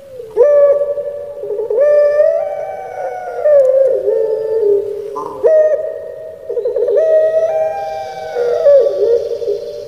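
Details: Captive Barbary dove of the puter pelung type kept in Java, Indonesia, singing the crying-style song: long, drawn, harmonic coos that rise then sag, about four phrases with short breaks, each ending in a wavering, throaty fall.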